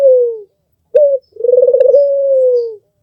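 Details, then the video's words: Tutor-bird Barbary dove, albino with red eyes: the tail of a falling coo, a sharp short note, then a trembling, beating coo that evens into a long, slowly sinking tone. "SUARA BURUNG PUTER MERDU"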